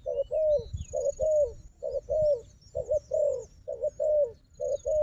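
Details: Low, mellow coos in rapid doubled phrases from a combative wild dove facing a decoy, repeated about once a second, with light low thumps underneath and faint high whistles.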